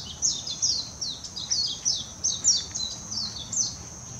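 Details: Song of a warbling white-eye, Hashimoto, Wakayama Prefecture, Japan, 26 June 2021, recorded on a Nikon Coolpix P900: bright squeaky phrases of falling notes repeated about every half second, thin and high, with a faint steady whine behind.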